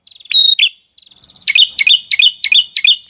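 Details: Small bird song in a training recording rich in varied bursts: sharp whistled notes, then a steady run of quick chirps each ending in a bright downslurred whistle, repeated about three times per second.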